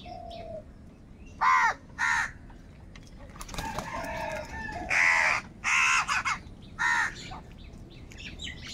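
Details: Very loud crows fighting for food together: repeated grating caws, singly and in quick pairs, growing denser in the second half, with a soft cooing note at the start.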